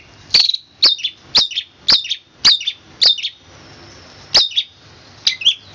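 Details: Quick series of sharp, high, slightly slurred chirps from a long-tailed shrike, roughly two per second with a short gap, sung in the dense "roll speed rapat" style.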